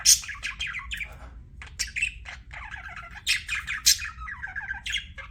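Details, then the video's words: Budgerigars kept as pets, chirping: a busy stream of short harsh chirps, squawks and warbled notes, some clipped bursts, with no clear rhythm and a faint low hum beneath. "BUDGIE CHIRPING SOUNDS"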